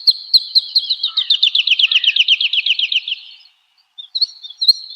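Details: Woodlark in full song for cage-bird training: a fast, slightly falling trill of liquid notes lasting three seconds, then a brief pause and a few scattered whistled notes.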